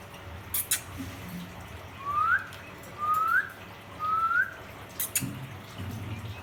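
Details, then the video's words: Pet ring-necked parakeet calling to another parrot: three clear rising whistled notes about one second apart, each sweeping upward and ending sharply, with a few brief clicks and faint low background noise. "Ringneck parrot chirping sound"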